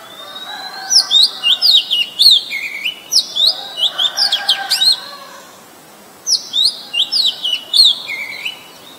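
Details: Oriental magpie-robin, a very common resident, in Ubon Ratchathani, Thailand, on 23 December 2019, taken with a Nikon P1000: two bursts of bright whistled and slurred phrases, mixing high sharp notes with lower descending whistles, separated by a brief pause.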